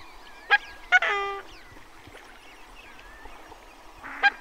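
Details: Endangered Coscoroba swan at the Petrel wetland, Chile, where it breeds, giving its name-giving nasal honks: two short blasts, a drawn-out trumpeting note, and another honk about three seconds later; faint chirps of other birds behind.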